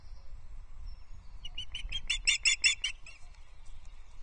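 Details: At a Loch Arkaig nest, 19 May 2023, an osprey calls while the female eats a small breakfast the male brought. Roughly ten clipped, high, piping notes build in loudness, then stop, over a faint low background hum.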